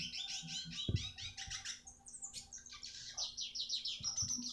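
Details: Masteran recording of a red siskin for teaching other birds: rapid, scratchy twittering phrases mixed with thin whistled notes, one dull thump near the start, and a faint constant hum.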